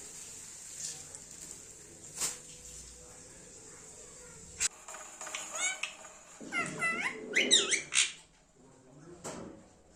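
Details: Pet Indian ringneck parrot: a cluster of sharp, wavering chirps and short squeaks bunched near the end, after several seconds of quiet room noise with a few clicks.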